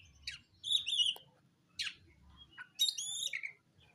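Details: Black oriental magpie-robin singing to challenge a rival: three bright bursts of loud, rich whistled and chattering notes with quick slurred ends, separated by short silences, over faint low background hum.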